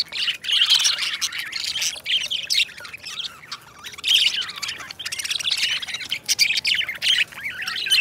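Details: Companion budgerigars keep up a long, steady chattering song of gritty chirps, clicks and squawks, rising and falling in loudness without real pauses.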